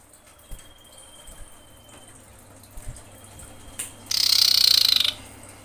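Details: Female common iora in breeding condition calling to males: a faint, thin, level whistle held for about two seconds, then a loud, harsh, buzzy rattle lasting about one second, over quiet background hiss.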